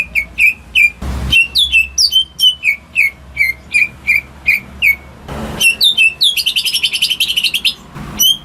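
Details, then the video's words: Greater green leafbird kept at home, its song used to stir silent birds: evenly spaced falling whistles about three per second, then a rapid buzzy trill near the end, punctuated by two soft knocks. "Cucak Ijo Rumahan Yang Cocok Buat Pancingan Burung Macet"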